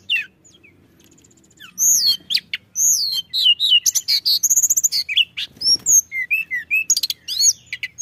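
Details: Pied bushchat song played as a lure for other birds, opening quietly before a fast run of curved whistles, sharp ticking chirps and downslurred notes.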